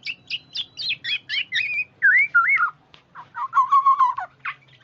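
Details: Oriole used for luring: a series of sharp high chips, then fluid looping whistles and a lower run of rapidly repeated notes, finishing with a short high call.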